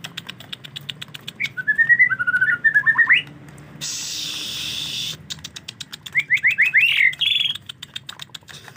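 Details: White-rumped shama during the rainy season, linked to bathing: quick runs of sharp whistled notes near mid pitch, broken by a loud hissing splash, then a fresh rapid run of chirps.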